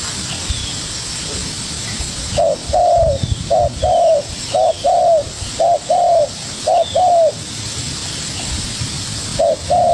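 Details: Young spotted dove answering a decoy with vigour. Quiet at first, then a steady series of low paired coos, short then long, about one pair per second. Brief gap before a final pair; faint bird whistles and background hiss.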